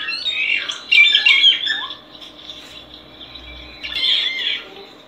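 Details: Solitary cacique singing: harsh, squawking phrases with rough gliding notes, a loud burst near the start and another toward the end, over a steady low background hum.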